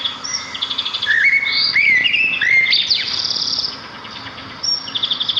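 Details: Twittering sparrows in nature: rapid ticking chirps in regular series, with loud whistled slurs and high trills layered above them.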